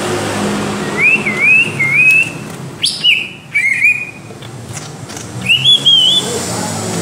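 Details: Greater green leafbird, ngentrok song style kept as a reference for training other birds: looping whistled phrases with wavy pitch, a sharp upward slur, then more undulating whistles after a brief lull.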